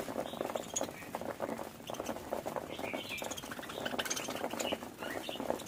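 A budgerigar chatters in a busy, continuous warble of squeaks, clicks and short whistled notes, a sound of contentment.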